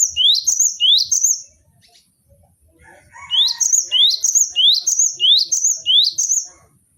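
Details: Cinereous tit, caged, sung for training other birds: brisk rising whistles in repeated phrases, a brief pause with a soft lower squeaky note, then a long steady string of bright two-tone whistles.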